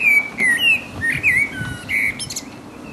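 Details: In full voice, the resident blackbird delivers its mating song: clear, flowing whistles, some held and some swooping, alternating with thin high squeaks and a faint scratchy ending.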